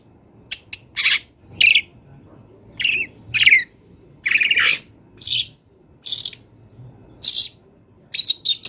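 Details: Wild long-tailed shrike singing, used as a master recording for training songbirds: harsh, buzzy chattering bursts repeated in short phrases with brief pauses, some notes sharply rising, plus faint low background hum.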